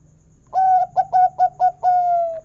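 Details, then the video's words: Local zebra dove singing in a big 'kung' style to get other doves singing: a long coo, four quick short coos, then a long slowly falling final note. "Masteran Perkutut Lokal Suara Kung Besar Pancingan Burung Perkutut Agar Gacor"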